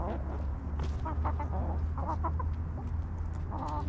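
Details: Backyard hens relaxing in their coop, giving short harmonic clucks and murmurs scattered through the clip over a steady low hum.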